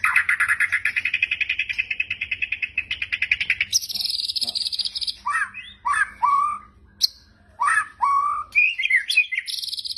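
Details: Shama (white-rumped) in kretekan mode for teaching song: a fast, even, rattling trill for nearly four seconds, then a high buzzy phrase and several clear downslurred whistles separated by short gaps.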